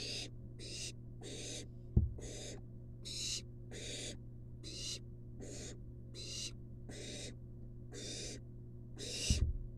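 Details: Wild barn owl nestling receiving a long-tailed rat from its mother inside a research nest box. About a dozen short, noisy hissing screeches follow in quick succession, with a couple of thuds and a continuous low hum.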